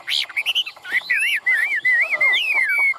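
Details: Chinese hwamei kept in a cage in Vietnam delivers a rich whistled song of looping, rising-and-falling phrases, ending in a long steady whistle with clear upper overtones.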